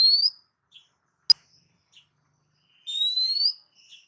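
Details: Oriental magpie-robin tutor recording: upward-sliding whistles at start and end, a sharp click between them, otherwise near silence.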